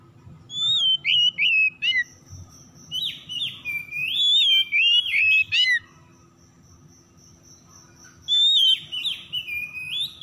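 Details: Oriental magpie-robin (kacer) lure to get stressed, silent birds singing: lively, varied song of wavering whistles and rapid chirps in quick bursts, with a thin steady high tone in the background and a pause mid-phrase.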